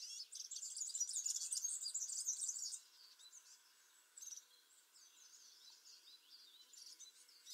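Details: A European serin delivers a short burst of rapid, high, glassy jingling lasting under three seconds. Faint, scattered high chirps follow over a quiet background.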